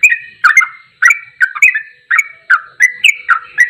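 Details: Sooty-headed bulbul singing in the ropelan goklikan style, used as a training recording for songbirds: loud, bubbly chirped phrases sliding between low and higher whistled notes, bursts coming about every half second with short gaps, no other sounds.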